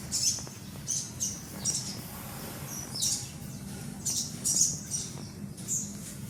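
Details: Baby sun conure uttering sharp, high-pitched, hissy chirps roughly every half second to second, with a persistent low hum underneath.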